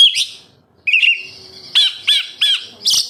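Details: Oriental magpie-robin (kacer) lure song for captive birds: a short whistle, a sustained buzzy tone, then three evenly spaced clipped notes.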